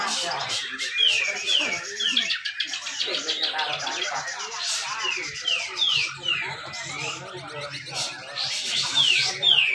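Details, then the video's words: Grey-cheeked bulbul in a singing contest at Malinau, North Kalimantan, giving its dense 'besetan rapet' competition song meant to prompt lazy birds to sing: rapid, repeated downslurred whistles in quick bursts over a busy chatter of other birds. "cucak jenggot besetan rapet"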